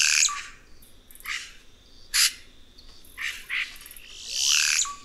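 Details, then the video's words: Red-rumped cacique singing a varied string of scratchy bursts and clicky notes, with short whistled tails and a long rasping phrase near the end. "Canto do Guaxe"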